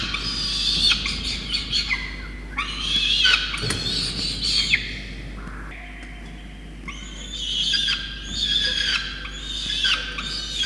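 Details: Peregrine falcon nestling begging during a starling feed by its soaked parents on a wet day, 5 November 2021, in Orange, New South Wales, Australia. Rough, grating screams come in repeated bursts around one steadier, lower drawn-out note.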